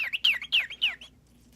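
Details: A tame, hand-fed pet male cockatiel named Gabby gives four quick, shrill chirps, each sliding downward, about three per second, then falls silent; a faint low indoor hum runs underneath.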